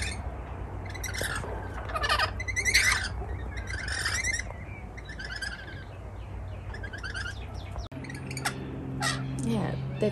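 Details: A group of wild rainbow lorikeets on a balcony in Melbourne, Australia, keep up a rasping, irregular chatter of short screechy bursts for about ten seconds. A low hum and a sudden steadier tone appear near the end.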